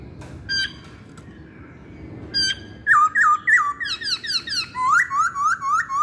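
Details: Masked laughingthrush singing as a lure to prompt other birds: a few isolated short calls at first, then from about three seconds a rapid run of around a dozen repeated down-slurred whistled notes.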